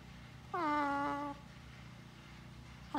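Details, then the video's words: Blue-and-gold macaw, a pet on a newly started farm, chatting with its owner: one long level 'hello' with rich stacked harmonics lasting nearly a second, then a brief rising syllable at the end. "Talking With My Friend The Macaw Parrot"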